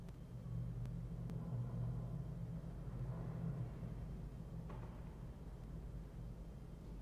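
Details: Steady low rumble of traffic and wind outdoors, with a few faint clicks and a soft knock, and no animal sound heard.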